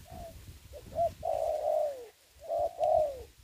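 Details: Ground decoy spotted dove in a trapping setup during the Covid-19 season gives two clear cooing phrases. Each phrase has short lead-in notes and ends in a long, gently falling coo over a quiet, slightly rumbly background.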